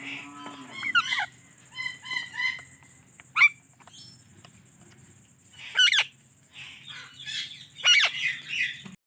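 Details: Indian ringneck parrot giving spaced chirps: a quick stuttered series of short notes, then loud, sharply falling squawks near the middle and again toward the end, separated by quiet gaps over a low background hum.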